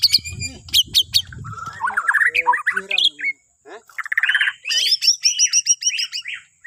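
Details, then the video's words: Borneo white-rumped shama song, used to prompt other birds into singing in the morning: bright whistled phrases rising and falling, then a fast run of repeated high sweeping notes after a short pause, with some rough squawky notes early on. "Kicauan Murai Batu Borneo❗Cocok Buat Pancingan Dipagi Hari"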